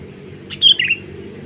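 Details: Sooty-headed bulbul lure call for wild birds: a single brief chirpy phrase of three or four notes over a steady low background hum.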